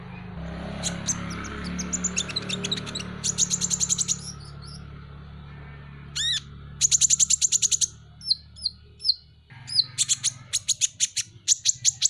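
Van Hasselt's sunbird giving very high, thin, rapid trills and sharp down-slurred chips in quick bursts over a faint low hum.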